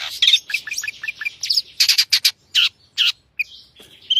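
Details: Long-tailed shrike, known locally as cendet, in full lively song with a rich varied repertoire: rapid runs of short chirps, harsh buzzy bursts and a few slurred whistled notes in quick succession.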